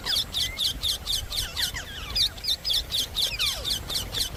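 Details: Indian parrot uttering a rapid series of shrill, grating squawks repeated about four times a second, steady and insistent over faint background noise.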